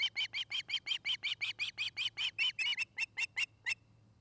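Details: Osprey on a nest camera in Charlo, Montana, afternoon of 29 August 2018: a fast, loud sequence of high whistled yelps that slows and becomes more spaced toward the end before stopping, with low background hum.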